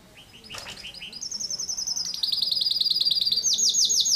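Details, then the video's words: Canary in insistent 'tembakan rapat' song, a dense rapid-fire style: faint chips open, then a loud, very fast high trill drops into a slightly lower pulsed trill and finishes with bright repeated sweeping notes. "kenari ngotot suara tembakan rapat"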